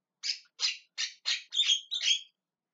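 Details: Calling Javan myna giving six harsh, noisy screeches in quick succession, the last two mixing grating rasps with sharper whistled squeaks; quiet background.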